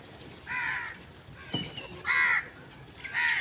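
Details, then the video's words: Crow giving three separate hoarse caws, each about half a second long, with a soft knock between the first and second. "Crow sound effects"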